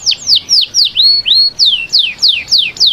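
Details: Canary singing to ready females for breeding, a series of bright falling whistled notes repeated about three times per second, each sliding down sharply, with one brief rising note near the middle.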